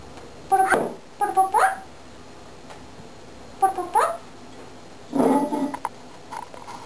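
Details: Male pet cockatiel playing with a mirror, using learned short tune snippets and sound effects: short, bending, harmonic chirps and warbles in four separate bursts.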